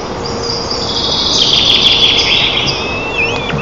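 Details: At a wild white-tailed eagle nest in Tatarstan's Lower Kama National Park, 25 June 2024, adults feed the eaglets breakfast. A nest camera records drawn-out, high, wavering squeals that swell mid-clip, with faint clicks, over constant hiss and hum.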